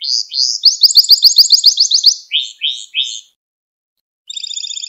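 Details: Gloster canary song for stimulating other canaries: buzzy rising notes leading into a fast high trill, three slurred descending notes, silence, then a thin rapid trill.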